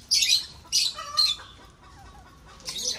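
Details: Lovebirds breeding in an aviary: sharp, shrill squawking bursts in two quick pairs near the start, a softer lower chirp in between, then another harsh burst at the end, with quiet gaps between.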